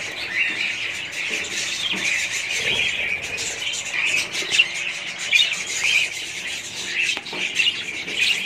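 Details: Steady twittering of several budgerigars, overlapping scratchy chirps and warbled notes with occasional sharper squeaks and faint fluttering.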